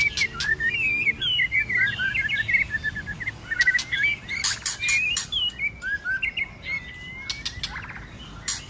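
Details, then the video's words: White-rumped shama delivering a multi-voiced fighting song in the cold season: dense chattering jumble of quick twittering notes, easing into spaced whistles, with many crisp clicking snaps. "Kích Chòe Lửa hót căng tạch đập đuôi sổ nhiều giọng. kích chòe Lửa hót đấu"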